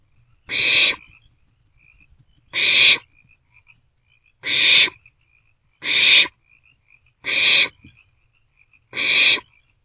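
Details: Nest-box barn owlets at night in March, sharing prey; six even, breathy screech-hisses, each under half a second, repeated steadily about every one and a half seconds with faint twittering in the gaps.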